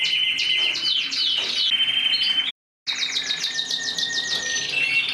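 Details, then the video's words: Singing mosaic canary: quick descending chirps and rattling trills, broken by a brief silent cut midway, then another run of fast repeated notes and a thin whistle. "تغريد الكناري موزايك مالتي"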